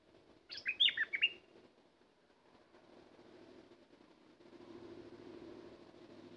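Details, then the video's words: A decoy bulbul opens with one loud, tumbling phrase of clear whistled notes, followed by several seconds of rustling and low background noise. "Burung merbah lekir bay hoach thom gacor bahanan"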